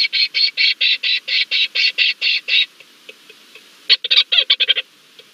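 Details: Leach's storm petrel at night in a dark, vacant Cahow burrow on Nonsuch Island, July 2019, near land crabs: a fast, even run of about a dozen loud purring pulses, a pause, then a quicker stuttering burst.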